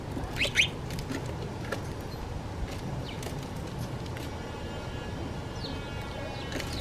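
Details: A House Sparrow in Toronto, Canada, gives a quick pair of bright, sharp chirps near the start, then a few fainter chirps later over a steady rumble of traffic.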